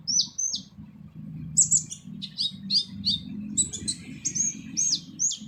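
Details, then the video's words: Purple-throated sunbird (kolibri ninja) giving a harsh full training song for other birds: two sharp downslurred notes, a pause, then a dense run of high squeaky, twisting chirps over a low background hum. "MASTERAN KOLIBRI NINJA FULL SUARA KASAR"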